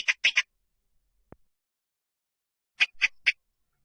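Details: Rail lure call: two bursts of three harsh, nasal, quacking notes, the second burst coming about two and a half seconds after the first, with a faint click between them.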